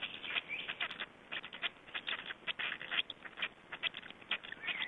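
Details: Nest of black storks in Estonia at feeding time, 20 May 2012: a continuous series of sharp squeaky clicks and scratchy notes, roughly several per second, with faint drawn-out whistly tones underneath and steady hiss.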